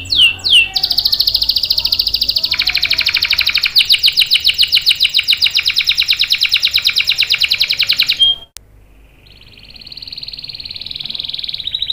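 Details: Long rolling canary song, used as a lure to draw other canaries into singing: a sustained rapid buzzing trill lasting several seconds, a short pause, then a quieter thin high trill.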